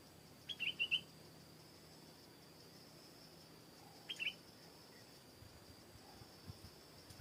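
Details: Stripe-throated bulbul in a garden: a sharp note followed by a rapid burst of bubbling, slurred whistles, repeated about three seconds later as a shorter phrase, with a few faint chips and a steady background hiss.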